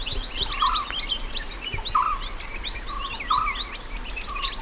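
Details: Wild mountain white-eye singing, a natural master song for tutoring other birds: rapid high twittering with quick rising and falling chirps, mixed with lower warbled phrases and steady background hiss.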